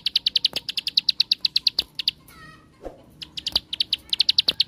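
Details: Bar-winged prinia song in the ngebren style, used as a lure to provoke other prinias into singing: rapid high notes repeated about eight per second, a one-second pause with a faint lower whistle, then the burst resumes; occasional soft knocks.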